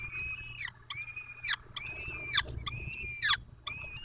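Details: Peregrine falcons at the nest in Dobra, at 14:18 in May: loud, harsh, rasping calls about half a second to a second long, each sliding downward at the end, repeated in quick succession with short gaps, over a low steady hum.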